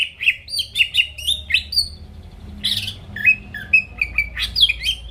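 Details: Greater green leafbird in full song, used as a lure to make rival birds sing; loud, varied whistled phrases between about 2 and 5 kilohertz-range notes, clear chirps and slurred notes in quick bursts with short pauses.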